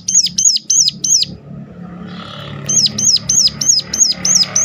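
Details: Sharp Sunda warbler calling, used to prompt others of its kind to sing: four shrill hooked notes, a pause filled by passing vehicle noise, then seven more notes over the traffic hum.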